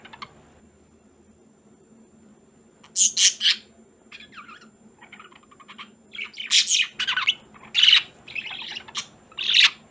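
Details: Two pet budgerigars (parakeets) indoors near Christmas: after a quiet start, bursts of harsh high squawks and chirps alternate with softer warbling chatter, getting busier toward the end, with a faint low hum underneath.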